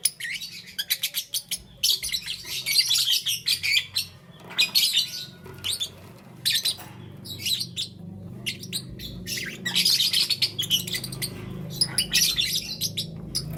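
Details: Lovebirds (green, yellow and lutino) in the morning: dense bursts of shrill, high chirps and squeaks in rapid runs with brief pauses, over a faint low hum.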